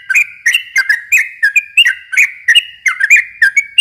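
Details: Lure song of a yellow-vented bulbul (trucukan) for young birds: clear, liquid whistled phrases of two or three notes, repeated rapidly in an uneven bubbling sequence, with no other sounds.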